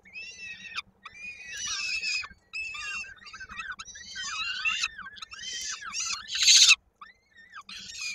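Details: Peregrine falcon chick on its nest in Koszalin, Poland, 16 May 2022, during feeding by the female, a leg caught in a beak; shrill squealing calls rising and falling in quick runs, one sharp loud burst near the end.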